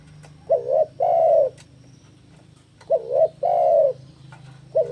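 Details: Challenging a rival while in breeding condition, a spotted dove repeats low coos: a short two-part note and then a long rolling coo, twice, with a low steady background drone.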